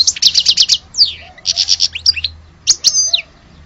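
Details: Lively goldfinch song opening with a quick run of about six bright repeated chirps, then a downslurred whistle, more rapid notes, and a few clear descending tweets before falling quiet over a low hum.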